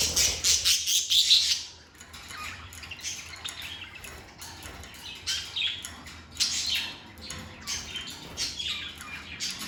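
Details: Lovebirds kept as pets chatter loudly, a dense harsh squawking burst at first, then quieter scattered shrill chirps and short rasping notes.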